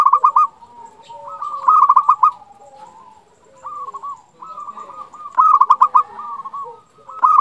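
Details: Zebra dove calls used to stir breeding condition and make other doves reply quickly: loud vibrating coo bursts and rolling trills, several birds overlapping, phrases every one to two seconds with short gaps between.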